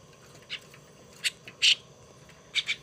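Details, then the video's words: Tame young starling being raised by hand produces sparse, brief scratchy squeaks, one louder rasp midway and a fast triple burst at the end over a quiet background. "Sáo đá"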